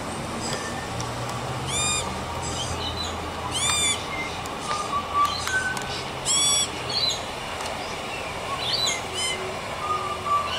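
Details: A young Australian magpie, yelling, singing and eating, gives four loud, harsh, harmonic squawks a couple of seconds apart, with soft warbled notes between, over a steady outdoor hiss.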